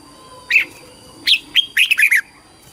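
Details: Red-whiskered bulbul singing in competition, used to call the flock and train the voice. A lone whistled note is followed by a fast run of five fluty, slurred syllables.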